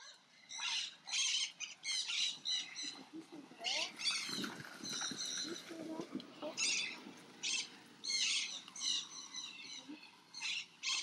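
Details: Crimson-bellied Parakeets, seen preening each other's feathers, give harsh, scratchy screeches in quick bursts, several per second, with short pauses between runs; a faint low murmur sounds in the middle.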